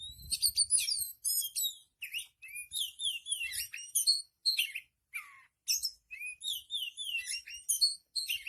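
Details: Nonstop full-voiced Oriental magpie-robin song, meant as a training recording: a rapid run of bright, varied whistled phrases and twittering notes with short gaps, plus faint low thumps at the start.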